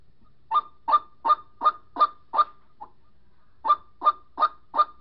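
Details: White-breasted waterhen calling for a mate, used as a lure call: harsh, croaking notes about three per second, a run of six, a brief pause, then four more, against a quiet background.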